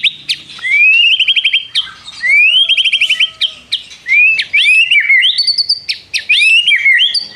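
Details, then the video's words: White-rumped shama singing actively, mimicking prinia trills: rising whistles breaking into rapid pulsed trills, then a run of varied looping whistled notes. "MURAI BATU GACOR ISIAN nembak prenjak tirrr panjang2"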